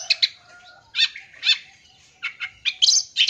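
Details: Long-tailed shrike song, full-isian style, meant to provoke young birds. Scattered harsh chirps and raspy notes come in clusters separated by short pauses, over a faint low tonal hum.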